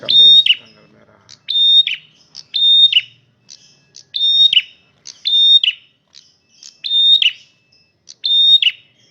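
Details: Male red prinia singing loudly and persistently: each phrase opens with short high chips, then holds a level, piercing whistle before a quick tumbling descending flourish, repeated about every 1.4 seconds with near silence between.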